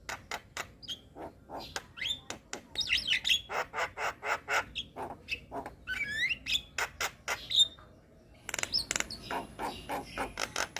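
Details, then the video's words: Young Javan myna in full, lively song packed with varied imitations: a long run of sharp clicks and rasping notes mixed with rising whistled slurs, a short pause, then another fast clattering series. "Masteran Burung Jalak Muda - Jalak Kebo gacor Banyak Isian"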